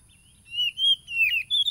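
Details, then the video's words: An Oriental magpie-robin, recorded on a phone in East Lampung, Indonesia, in July 2022 as a lure for wild-caught caged birds: a few drawn-out, slightly wavering whistles followed by a quick, higher twisting note. "PANCINGAN SUARA KACER AGAR EMOSI"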